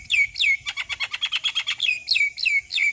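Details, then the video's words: Javan myna in full, lively song, offered as a tutor and lure to set other mynas singing: sharp whistles sliding downward, then a fast run of clicking pulses, then more repeated down-slurred whistles about every third of a second. "JAlak kebo GAcor Full Isian Masteran Jalak Kebo - PAncingan Semua Jenis Jalak"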